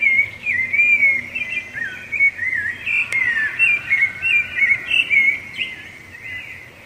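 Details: Rufous-bellied thrush in song, used to mark territory and attract the female: rapid, loud whistled phrases, about three per second, slurring up and down before fading toward the end; faint hum in the background.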